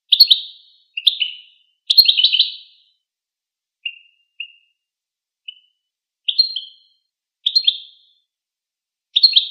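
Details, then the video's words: Goldfinch giving scattered bursts of rapid, high, tinkling twitters mixed with single short chirps, separated by quiet gaps, against a clean, silent background. "Golden Motivation: Empowering Songs of the Goldfinch"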